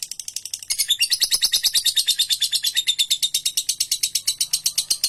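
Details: Lovebird singing a long ngekek trill, used as a master recording for training birds: a rapid, sustained series of harsh, high chattering notes, about three per second's beat blurring into a continuous buzzy trill lasting the whole clip.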